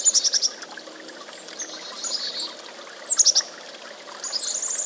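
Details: Chickadee opening with a rapid series of high pulsed notes, then soft high slurs, another quick burst of four notes and a long thin whistle, over a steady rushing background noise.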